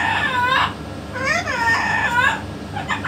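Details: Harmonic, speech-like phrases from a pet yellow-naped amazon: a falling nasal syllable, a gap, then a longer wavering utterance rising and dipping in tone, ending in brief clipped sounds.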